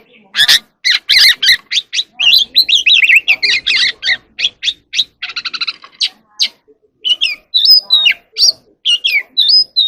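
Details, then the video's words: Oriental magpie-robin singing and dancing in the evening: a rapid, varied run of harsh broadband chacks, buzzy trills and a dense rattling burst, then clearer high whistled notes and rising slurred phrases, with short pauses between bursts. "kacer alam | Choè than hót múa buổi chiều tối เสียงนกกางเขนบ้าน"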